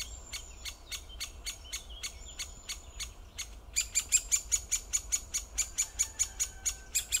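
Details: Great spotted woodpecker giving hard, high clicks, first spaced about two per second, then a louder, faster run of ringing notes in the second half.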